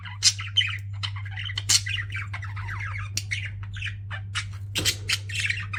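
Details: Indoor pet budgies give scattered sharp squawks and chirps between softer warbled chatter, with a loud low hum running through the whole recording.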